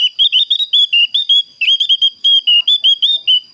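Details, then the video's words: Javan grey-throated white-eye calling to challenge a rival, a clear call used to train other birds: a rapid string of high, slightly wavering whistled notes, about five per second, over a thin steady high-pitched tone. "SUARA PANGGILAN BURUNG OPIOR JAWA GACOR"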